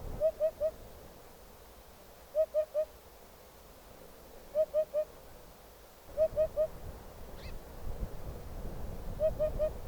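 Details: In the wild, a Eurasian hoopoe repeats soft, hollow triple hoots, five oop-oop-oop series spaced roughly two seconds apart, with steady low background noise and a faint higher call.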